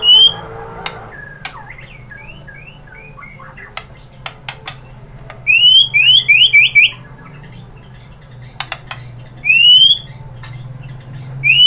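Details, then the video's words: White-rumped shama (murai batu) song used as a lure to prompt other shamas to answer and sing: sparse, clear rising whistles near the upper range, given in quick bursts of four to five notes between quiet gaps, with scattered sharp clicks and a low hum. "MURAI BATU jadi Gampang NYAUT GACOR BONGKAR MATERI ¦ PANCINGAN MURAI ¦ SHAMA BIRD"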